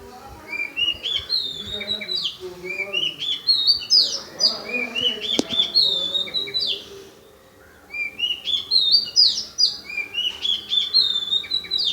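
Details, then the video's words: Unknown bird singing at Paripally Meenambalam in Kerala, compared to a tune from cinema songs; bright rising whistled runs repeated in two long bouts with a short pause between, plus faint chirps around. "A bird making amazing sound"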